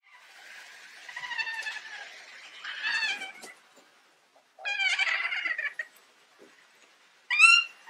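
Kea giving harsh, wavering, nasal screeches in several bursts, some with a quavering, neigh-like rise and fall, separated by short pauses.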